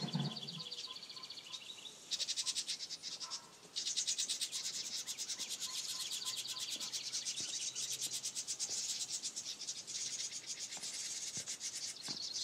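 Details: House wren; begging calls; nestlings begging for food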